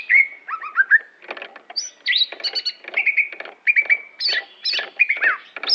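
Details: Greater green leafbird of the Aceh type giving a continuous varied song: rapid whistled slurs, upward sweeps and warbled chatter, phrases packed closely with hardly a break.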